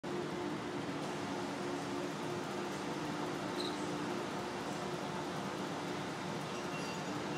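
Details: Dense, even hiss and hum like a running fan or air conditioner continues throughout with no animal voice.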